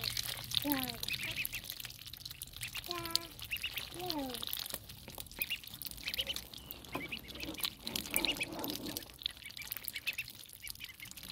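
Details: Ducklings being fed give a run of short, falling peeps in the first four seconds, some clear and ringing, then quieter chirps fade into a rustling, noisy background.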